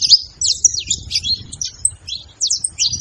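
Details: Saffron finch song for stimulating a silent bird: separate bright chirps and quick slurred notes, some rising and some falling, spaced by short pauses.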